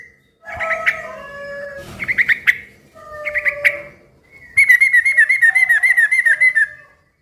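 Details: Noisy yellow-vented bulbul used to prompt other bulbuls to reply: three bursts of bubbly warbled notes, then a two-second rapid rolling trill of repeated buzzy chirps.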